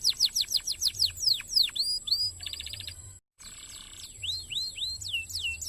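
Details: Canary singing a fast, dense song meant as tutor material for contest birds: rapid series of descending whistled sweeps, a short buzzy trilled burst, a brief silent gap, then more rising and falling whistles; constant high thin tone and low hum behind.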